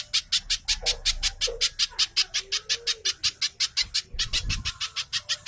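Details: Pijantung, the little spiderhunter, in rapid 'speed rapat' lure song for caged birds: steady high, rasping chips about three per second, with a soft lower whistle briefly sliding underneath.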